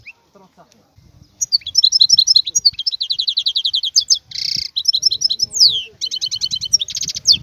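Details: A wild European goldfinch delivers a fast jingling song of twitters, dry buzzes and sliding whistles, starting after a second of soft low background sound that continues faintly beneath.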